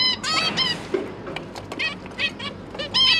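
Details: Captive zebra finch pair feeding three recently hatched juveniles; rapid series of nasal, trumpet-like notes and softer clicks, repeated in loose clusters, with constant low room noise beneath.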